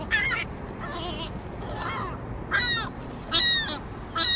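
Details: A loudmouthed juvenile ring-billed gull squawks over and over, recorded in 2005. It gives harsh, nasal squawks, about one every second or so, over a steady rushing background hiss.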